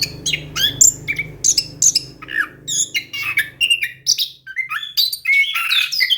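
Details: Rolling ngeroll song of an orange-headed thrush in full gacor form, meant to prompt a quiet thrush to sing: rapid run of varied chirps, slurred whistles and squeaky notes, with a faint low hum in the first half.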